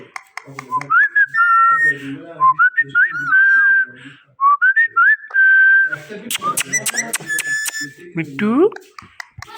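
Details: Indoor pet Indian ringneck parakeet, green, talkative and loud, giving clear whistled notes that step up and hold level, then sliding, voice-like phrases and a few sharp clicks, with mimicked words such as 'me too' around it.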